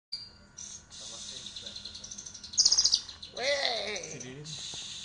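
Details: Greater green leafbird song: thin, high chirps and rapid trilled notes, then a louder burst of sharp twitters and lower, swooping, harmonic whistled phrases.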